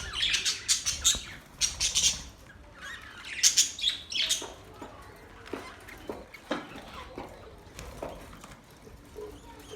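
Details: Budgerigars chirping in quick clusters of high, scratchy twitters and squawks during the first half, followed by sparser, quieter clicks and chirps.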